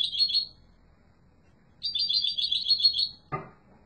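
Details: Strong song from a yellow mutation European goldfinch: a short buzzy twittering burst, a pause, then a longer rapid rattling trill cut off by a sharp knock.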